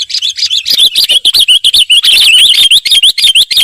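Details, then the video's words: Sooty-headed bulbul in noisy, agitated calling: a rapid string of bright, high chirps, each with a quick upward flick, about three per second and fairly uneven in spacing, after a short quiet start. "SUARA KUTILANG RIBUT"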